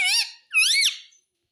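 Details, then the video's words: Pet talking parrot mimicking words such as mitthu, mummy and papa; two squeaky, harmonic, voice-like syllables, the first level and the second rising then falling, with a short pause between. "Talking parrot - Bolne wala mitthu - mitthu mitthu 🦜 Mummy bolne wala tota - papa bolunga"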